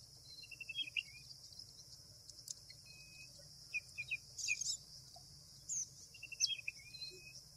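White wagtail giving brief, sharp high chirps and short twittering notes in scattered bursts, over a faint steady high hiss like distant insects.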